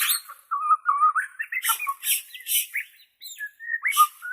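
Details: Borneo white-rumped shama in natural voice, for training captive murai batu: fluid low whistled phrases broken by several short harsh rasping bursts, then rising whistles.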